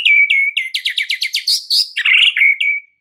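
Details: White-rumped shama song for stimulating a caged bird that will not sing: clear whistles, then a rapid run of about a dozen sharp repeated notes, ending in buzzy chatter and a steady whistled tone.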